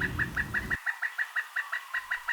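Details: Pileated Woodpecker, the nation's largest woodpecker, at Cranberry Lake Preserve gives a laughing series of loud, even notes, about five per second at steady mid pitch; low rumbling noise at the start.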